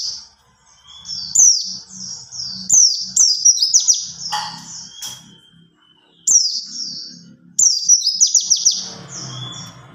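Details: White-eye calls of male and female used to prompt other white-eyes to sing: very high, thin twittering runs of quick descending notes in bursts, separated by short pauses, with a faint low hum underneath.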